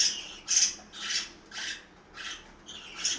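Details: Parakeets kept at home in Itaim Paulista, São Paulo, calling during feeding time: five or six rasping, buzzy squawks spaced about half a second apart, with quiet room noise between.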